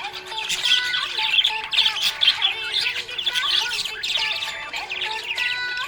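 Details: Happy pet budgerigar chirping: dense, scratchy high chatter with short squawks and warbles, nearly continuous, while steady tones of soft background music run underneath.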